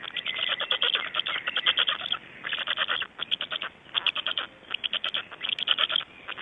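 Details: Black storks, Estonia, early morning of 26 May 2012 at 05:15: fast machine-gun rattles in repeated bursts about a second long, separated by short gaps.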